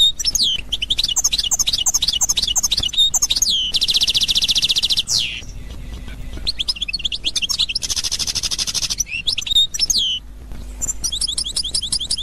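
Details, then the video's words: Authentic Constantine-style European goldfinch singing, 2021: rapid twittering phrases broken by two long, even, buzzing trills, then more sharp chirps and a final run of quick repeated notes, with brief quiet gaps between bursts. "اجمل حسون قسنطيني الاصيل"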